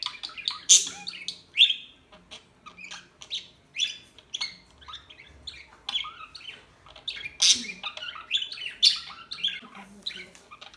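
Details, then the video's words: Lively small-bird chirping: bright high chips and twittery phrases about once a second, loud peaks near one, seven and a half and nine seconds, with a faint low hum in the background. "صوت العصافير الهادئة Bird sounds"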